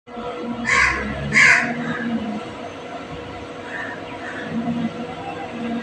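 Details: Green parrot giving two harsh, raspy squawks in quick succession near the start, followed by fainter scratchy calls over a steady background hum.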